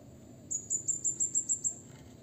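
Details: Blue-crowned hanging parrot uttering a rival-provoking call, a little distant: a steady run of eight thin, high, piercing notes, one every fifth of a second, over a low background murmur.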